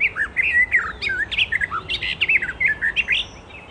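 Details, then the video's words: Icterine Warbler in the wild giving a rich, rapid medley of sweet whistled slurs, rising and falling notes and chattering squeaks, with steady low background noise. "Burung Kicau Alam Liar (Icterine Warbler birds )"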